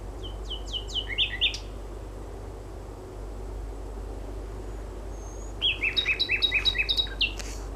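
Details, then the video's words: Common nightingale (Luscinia megarhynchos) singing at night, about 23:30 on 4 May 2016, along the River Mole at Gatwick Airport: two rich phrases of rapid repeated whistled notes with sharp chirps, against a steady low hum. "Nightingale (Luscinia megarhynchos)"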